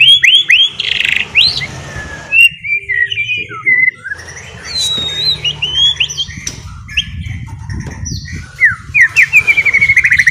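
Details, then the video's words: White-rumped shama, ngeriwik-style lure song: bursts of whistled slurs and chattering notes separated by short pauses, ending in a quick rising series, over a low background hum. "NGERIWIK JADI PLONG,,DENGARKAN KICAUAN MURAI BATU INI"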